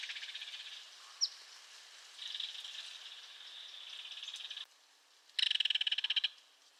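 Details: Belted kingfisher rattling: a softer, steady run of rapid clicks lasting over two seconds, then a short silence and a loud, fast, harsh rattle of about one second. A single sharp note sounds early on.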